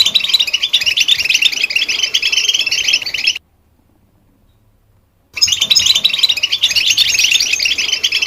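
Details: Rapid, bright twittering of a goldfinch, cut by about two seconds of complete silence in the middle, then resuming just as busy and high.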